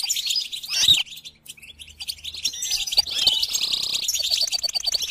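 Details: Goldfinch song played to encourage a caged goldfinch to sing: busy, high twittering with quick chirps and trills, dense throughout apart from a quieter gap early on. Brief lower rustling and buzzing sounds are also heard.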